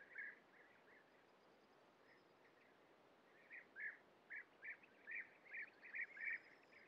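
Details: European bee-eaters at a breeding colony, adults feeding young at the nest burrow while a young bird leaves and flies back in; short burry rolling notes, a few scattered early, then a run of about eight evenly spaced calls, over steady background hiss.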